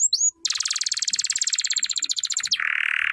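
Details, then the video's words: Singing canary delivering a brief whistled upsweep, then a long, rapid, buzzy pulsed trill lasting about two seconds, closing with a lower, rough, sustained buzz. "singing canary"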